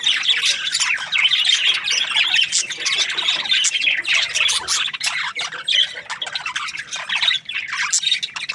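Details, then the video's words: Budgerigars chirping: a dense, busy chatter of rapid high squeaks, warbles and harsh chirps from several birds, overlapping continuously. "Budgies parrot chirping sounds"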